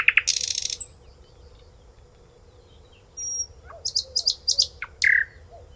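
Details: Nightingale song: a harsh, dense burst at the start, a long quiet gap, then a thin high whistle and a cluster of quick repeated high notes ending in a loud slurred note.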